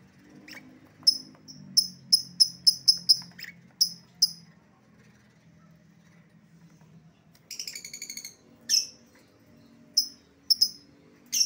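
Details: Lovebird lure for a runaway bird: bursts of rapid sharp high chirps, a pause, then a buzzy trill and several more isolated piercing notes.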